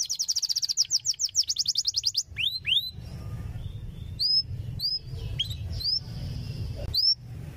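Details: Canary song used to train young canaries: a fast, high rattling trill of repeated notes for two seconds, followed by sharp upslurred whistles and chirps, with low background hum.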